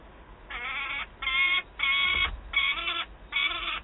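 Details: Young peregrine falcon, just fed, calling loudly beside an adult carrying prey at Wałbrzych, Poland, late August 2022. Five raw, grating screams repeated roughly every three-quarters of a second, slightly uneven in length.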